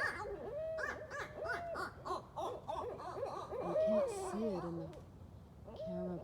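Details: Wild Barred Owls flipping and flapping among branches at night, a group of four or more caterwauling: rapid barking hoots, wavering descending whinnies and overlapping arched calls, loud and chaotic throughout.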